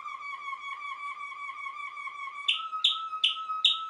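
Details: Waterslager (Malinois) canary in song: a long, low, even trill with a slight wavering, then four bright downward-sweeping notes over a steady low whistle.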